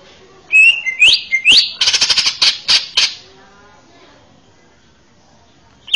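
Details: Male greater green leafbird in a training song for young birds: upslurred whistles followed by a burst of harsh, rattling notes, then quiet.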